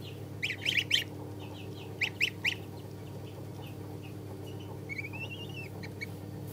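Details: Three-day-old Chinese goose chicks peeping, clusters of quick high chirps in short bursts, then a thin wavering whistle-like peep, over a low steady hum.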